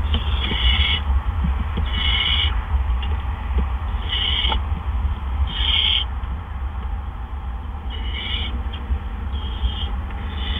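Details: Barn owl nest during an evening double gopher delivery by two adults, April 17 2013 at 8 PM; irregular series of short breathy screeching hisses, some spaced two seconds apart, over a persistent low hum.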